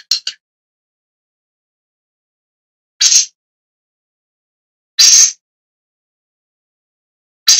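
Long-tailed Shrike giving short, harsh, rasping calls, single or doubled, every two to three seconds, with silence between.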